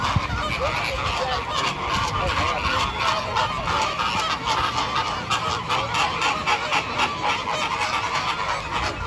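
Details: Flamingo flock giving a dense, continuous chorus of overlapping nasal honks, many birds calling at once without pause, with a steady background hiss.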